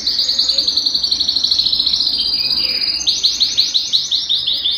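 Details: Belgian canary song played to make a cold canary sing: loud rolling trill of quick rounded notes, a brief lower slide, then a second rolling trill at higher pitch.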